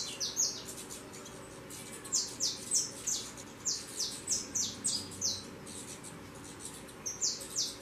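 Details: Young saffron finches leaving the nest and taking flight give rapid high descending chirps in irregular bursts, several per second at times, over a faint constant low hum.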